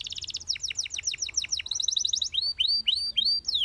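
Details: Belgian canary singing to boost canary confidence: rapid high trill, then a string of falling slurred notes, ending in spaced arched whistles.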